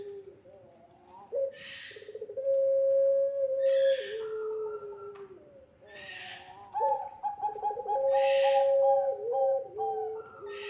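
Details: Barbary dove of the puter pelung type, used as a lure for young birds, giving drawn-out level coos that drop a step at their ends, repeated in two long phrases broken by short harsh rasps.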